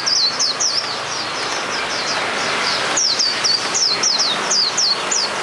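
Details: Hume's white-eye singing in the wild: rapid high, thin twittering notes in quick descending slurs, delivered in bursts of three to four phrases with brief pauses, over steady broadband background hiss.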